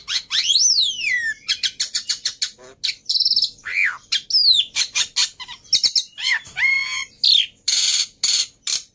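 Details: Song of a black-winged myna in full voice, meant to coax mynas that have gone quiet into singing: sweeping whistles rising and falling steeply, mixed with buzzy bursts, clicks and harsh noisy notes.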